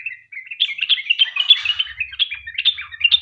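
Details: Sooty-headed bulbul in long 'ropel' singing style, used as a lure to prompt other bulbuls to sing: dense, rapid chattering of short warbled notes, mostly high-pitched, running continuously with a faint low rumble partway through.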